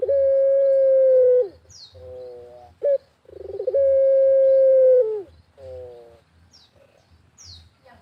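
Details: Lively barbary dove in a rural setting delivering long, level, mellow coos, each followed by a few shorter stacked notes and a quick upward flick, in a steady repeating cycle.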